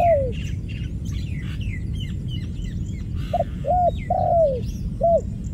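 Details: A low dove croon fades at the start, then after a pause of busy high twittering from other birds the dove repeats its phrase: two quick hoots, a long descending croon and one more short hoot.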